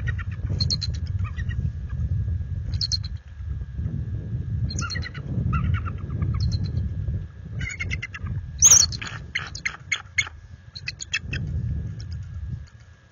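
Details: Resident pair of bald eagles at their nest after dark on 26 February 2022, warning off an intruder adult eagle: bursts of high, rapid chittering notes repeat every second or two, one louder sharp cry near the end, over low rumbling background noise.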